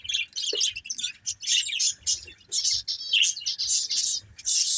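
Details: A breeding pair of pet budgerigars chattering in rapid, harsh, high warbled bursts that come in clusters about every half second, with faint low thumps beneath.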